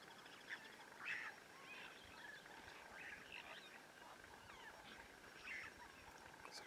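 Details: One of two Blacksmith Lapwings at a dam, nest-guarding birds with young, gives sharp, metallic 'tink' notes like a hammer striking steel, spaced irregularly every second or two over a steady outdoor hiss.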